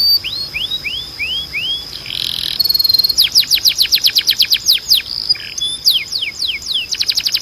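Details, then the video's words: Canary song for training young canaries: rising whistled slurs, a short buzzy passage, then long series of rapid descending sweeps repeated about four per second, ending in quick rattling notes. "Melhor Som de Canário Para Treinar"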